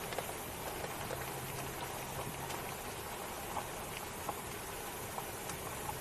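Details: Rain patters steadily on a surface with scattered drips and a faint low hum.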